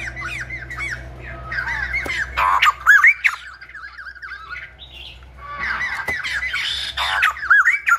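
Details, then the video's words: Silver-headed babbler producing bursts of chattering, looping whistled notes and harsh squawks, a quieter wavering stretch mid-way, then another lively burst; low background rumble throughout. "Khướu Đầu Bạc / Silver -headed Babbler / Singibg like aLumba Dancer"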